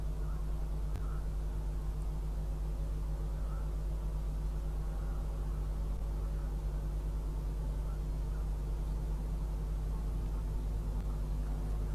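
Steady low mechanical hum with broadband hiss throughout, and no animal calls.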